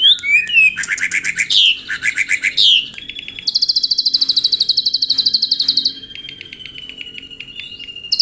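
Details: White-rumped shama morning song for provoking rivals: varied sweeping whistles and trilled phrases, then a long buzzy high rattle fading into a thin sustained tone.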